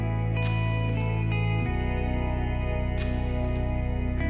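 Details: Steady plucked guitar music with sustained ringing tones and a low repeating bass line, with no animal voice anywhere.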